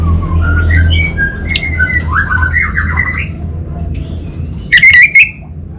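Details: Orange-headed thrush (anis bata) in North Bali warbling quietly in varied, slurred whistled phrases that rise and fall, ending in a short, loud, ringing burst; a constant low hum underneath.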